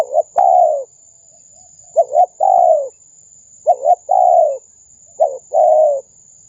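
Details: Spotted dove lure call, played from a speaker to attract wild doves: three phrases of a short double coo followed by a longer, slightly falling coo, each phrase about every 1.6 seconds, with a steady high electronic whine.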